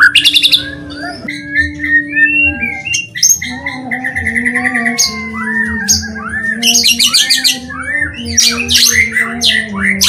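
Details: White-rumped shama lure song meant to stir sluggish shamas into singing: mixed sweet whistles, downslurred notes and harsh buzzy bursts running continuously, with a constant low droning hum underneath.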